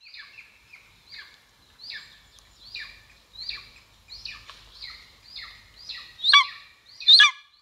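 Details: Golden eagle at the nest, Estonia, 2022, on a live camera: a series of high, down-slurred squealing calls, the last two much louder and harsher.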